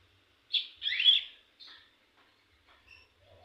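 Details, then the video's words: Young cigun practising song: a few loud, high slurred chirps in quick succession, followed by softer scattered notes in near silence. "cigun muda belajar ngebrem ak47"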